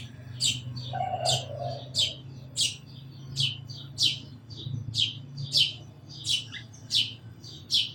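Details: Sparrows chirping steadily, around fourteen quick high tweets over eight seconds, loud and clipped, with a faint low murmur like distant voice near the start.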